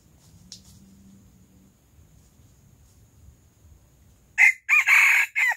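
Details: Silkie rooster crowing loudly in the early morning; after about four seconds of near-quiet with a low hum and a faint click, a harsh, raspy crow bursts out in four loud segments, the final one shorter.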